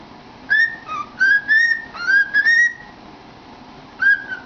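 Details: Cockatiel singing to itself in a cardboard tube: a fast string of clear whistles, alternating rising and level notes with one lower dip, then a single whistle after a pause.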